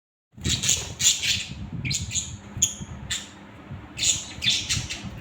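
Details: Several pet budgerigars calling in bursts of harsh, scratchy squawks and chirps, about six outbursts in five seconds with short pauses, over a steady low hum.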